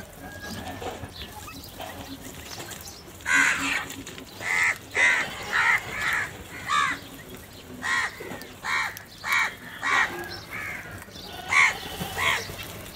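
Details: Crows fighting over food: a rapid series of about a dozen loud, harsh caws repeated roughly every half second from the third second onward, with faint background noise.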